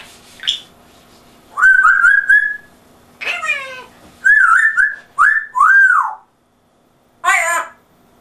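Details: Household African grey parrot with an English-accented voice, copying speech: a string of whistled and warbled voice-like phrases with sweeping pitch, separated by short gaps, ending in a brief harsh squawk.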